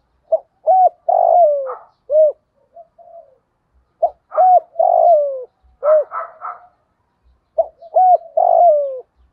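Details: Spotted dove in the Thổ Đồng voice style, combining the thúc, gù and gọi call types, used to lure and train wild doves. Hollow, low cooing phrases of three or four notes, the last note drawn out and falling, repeated about every three seconds.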